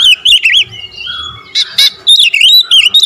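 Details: Oriental magpie-robin singing in the style of a 'pancingan' lure with rapid 'tembakan rapat' shots: looping whistled phrases that rise and fall, a long level whistle, then sharp loud broadband bursts and more quick twisting notes.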